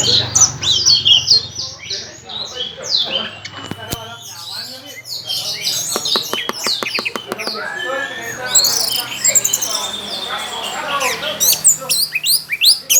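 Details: A caged contest Orange-headed thrush sings at full volume with its tail fanned. It pours out a long, dense run of high chirps, trills and whistled slurs, several notes each second, with low hum and some clicks behind.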